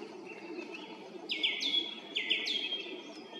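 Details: Song thrush singing from a treetop beside a road in Zarechny on an April 2021 evening at 18:50: clear whistled phrases, two bright rising-then-level notes repeated about a second apart over a soft low background hum.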